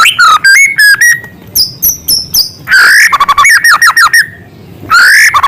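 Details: Loud white-rumped shama song with small-bird filler material: clipped whistled notes, a high twittering run and a sustained whistle, then a rising whistle and a rapid string of sharp notes.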